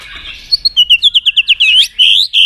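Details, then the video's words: White-rumped shama song for training birds to sing many voices: a string of about ten quick rising whistled notes, then a sweeping upslurred note and a final steady whistle. "Kích Chòe lửa Lên Lửa, hót nhiều, chòe lửa đánh đuôi kích cực nhạy.luyện chòe lửa hót nhiều giọng"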